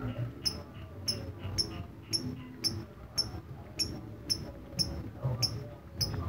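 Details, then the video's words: Lovebird in ngetik, or typing-style, song: crisp high clicks spaced roughly half a second apart, steady and even throughout, against faint low rumble. "Lovebird kicau ngetik"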